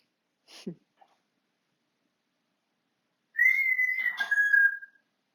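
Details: Pet African grey parrot indoors: a brief soft click, then after a pause a bright level whistle that drops to a slightly lower sustained note.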